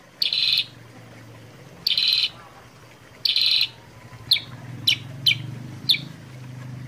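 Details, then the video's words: Sooty-headed bulbul (kutilang sutra) singing, used as a prompt and tutor recording: three buzzy, scratchy bursts each about half a second long, then four quick bright chirps over a steady low hum. "pancingan suara kutilang sutra gacor jernih"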